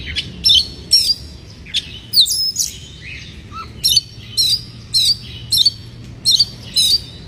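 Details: Oriental magpie-robin in breeding condition, a lure song meant to stir up other birds: loud, bright chirped phrases with sharp downslurred whistles, repeated about every half second, with a short low note in a pause.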